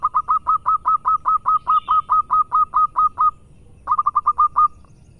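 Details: Actively singing local zebra dove, perkutut lokal: a long run of some seventeen rapid, evenly spaced soft coos, a brief pause, then a quicker burst of six similar notes; faint low background rumble.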